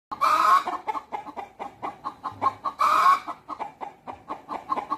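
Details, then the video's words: Rooster and hens communicating at a natural history museum, with a white peafowl also present: steady rhythmic clucks about four per second, broken by two loud harsh squawks. "떠드는 닭들(Communications of The cock and The hens)"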